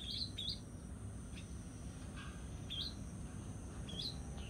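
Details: Barn swallow nestlings in a nest at a house entrance, about 19 days after hatching, around 08:00 on 22 June 2018, give short, high, thin chirps in quick pairs, about three bursts over a few seconds, over a steady low rumble.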